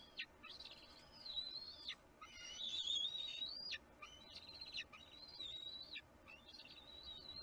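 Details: Young bald eagle in a Kisatchie National Forest nest, filmed by live camera on 6 April 2022, protesting as the adult eats the fish; five high piping whistled phrases, each about a second long, separated by short gaps.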